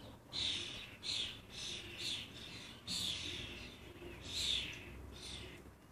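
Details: Lancashire common starling fledglings pester their parents with rasping, wheezy calls. Six or seven harsh bursts come at uneven intervals, each lasting under half a second.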